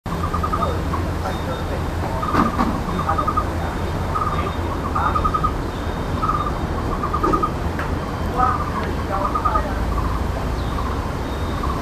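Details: A Taiwan barbet chick that has just left the nest calls repeatedly to its parents with short, quick trilled bursts about once a second, over a steady low traffic rumble; Niaosong Wetland, 17 June 2024, 2:29 pm.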